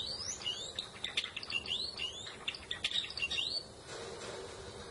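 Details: Java sparrow (glatik jawa) singing a quick run of high chirps mixed with bright, rising whistled sweeps for about three and a half seconds, then falling quiet with only faint background hiss.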